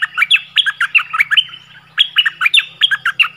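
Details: Orange-headed thrush with a fierce-sounding decoy song to lure wild birds; two fast phrases of varied, clear whistled notes separated by a short pause, over a low steady hum.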